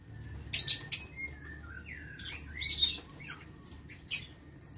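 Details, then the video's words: Lovebirds kept in an aviary, recorded 6 November 2022: shrill, raspy shrieks mixed with short gliding whistles that swoop down and up, in uneven bursts over faint low hum. "Aviary Lovebird"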